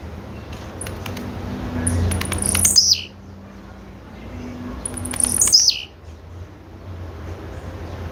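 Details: Female blue-black grassquit calling: a thin, very high note that slides steeply downward with a buzzy tail, given twice about three seconds apart over a steady low hum.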